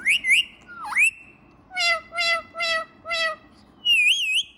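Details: Pet ringneck parrot talking and dancing: clear whistled, wavering notes, then four short voice-like syllables repeated about every half second, ending with another warbled whistle.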